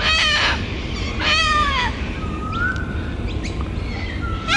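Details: Excited breeding pair of little (short-billed) corellas inspecting a tree hollow as a nest site at Kurnell, NSW, Australia, giving two harsh, raspy screeches about a second apart, followed by thin, rising whistles from other birds over a low rumble.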